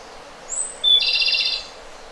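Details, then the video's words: Japanese robin, a small songbird of mountain undergrowth, singing a single high thin introductory whistle followed by a loud, fast, rattling trill lasting under a second, against steady background hiss. "Robin Japonês - Já ouviu o canto desse passarinho?"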